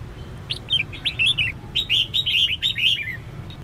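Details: Female red-whiskered bulbul calling to stir males into singing: two bursts of quick, bright, warbled chirps, the first short, the second a longer run of rising and falling notes, with a faint low hum beneath.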